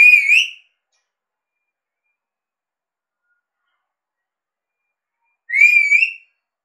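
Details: Alexandrine parakeet kept as a talking pet in India, whistling: two short, clear, rising whistles about five seconds apart, with silence in between.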